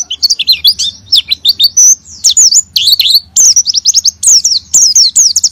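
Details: Oriental white-eye singing hard, as a lure to provoke silent white-eyes into ngalas and nembak song. Dense, high-pitched chattering of swooping whistled notes and rapid trills, steady throughout, over a faint low background hum.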